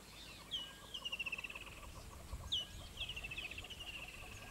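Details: Southern yellow-billed hornbill in Kruger Park giving two quick runs of hollow, clucking notes, about eight a second, over a faint low rumble.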